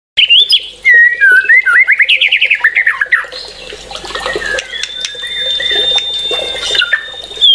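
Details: White-rumped shama singing: loud whistled phrases that slide up and down, then a quick run of rapid trilled notes, followed by softer chattering and a long, steady high whistle held for several seconds.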